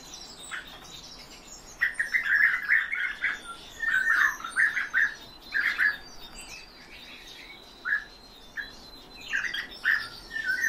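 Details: Kept European bee-eaters produce a lively series of rippling, trilled calls, dense bursts of overlapping notes alternating with short pauses, steady in pitch, across roughly eleven seconds.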